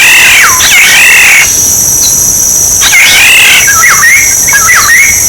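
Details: Black-naped oriole song used for decoying birds: fluty, liquid whistled phrases that dip and rise, in bursts about a second long separated by short pauses, over a steady high-pitched insect drone.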